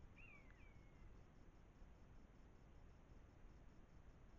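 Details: Two quick drooping mewing cries from common buzzards (Buteo buteo) squabbling before a trail camera in Germany's Eifel, September 2024, the second longer and trailing off, then only low background hum.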